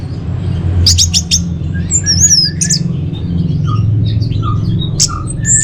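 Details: A varied run of notes from an orange-headed thrush, used as lure and master song for caged birds: sharp clicks, then looping high whistles and short lower piping notes over a constant hum.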